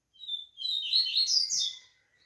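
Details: A captive male Double-collared seedeater (coleiro), coming out of moult and starting to open its song, sings a quick, high, two-second twittering phrase of slurred whistles and chips, rising and falling, with faint room background.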